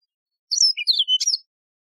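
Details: Mozambique serin, the wild canary called Yellow-fronted canary, sings one quick phrase under a second long: high sliding whistles and chirps dropping then rising again, on a silent background.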